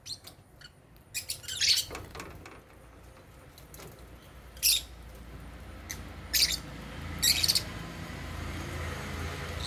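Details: At meal time caged African lovebirds eat holy basil and utter scattered bright, harsh chirps, several short bursts a few seconds apart, against a low background rumble.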